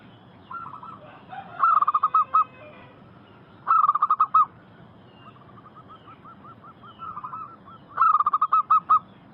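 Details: Local wild zebra doves singing vigorously, used as a lure to draw wild doves into answering: bursts of rapid, rolling cooing notes repeated about every two seconds, with fainter doves trilling softly between the loud phrases.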